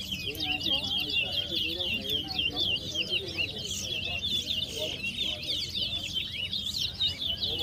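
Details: Towa towa, or chestnut-bellied seed finch, in a 2022 song competition at West Side, Guyana: a fast, unbroken stream of high chirps, trills and slurred whistled notes, with people talking faintly and a low hum underneath.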